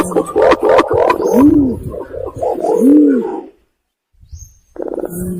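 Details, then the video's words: Imperial pigeon call used as a hunting lure. Quick pulsed notes lead into two deep, bowed booming coos that swell and fade, then a brief silence. "suara pergam paling cocok untuk nyanggong"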